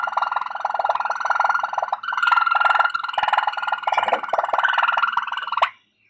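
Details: Continuous low, liquid trilling from a Waterslager canary, rolling rapidly for over five seconds with a small pause, then stopping abruptly into silence.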